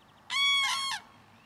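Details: A single loud, rolling trumpet call from Common cranes, a family of adults with a young bird, heard early in the morning as they draw attention to themselves with cries.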